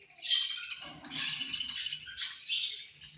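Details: Feeding budgerigars make angry chirping: steady harsh, buzzy chatter with rising and falling scratchy notes and soft rustling below.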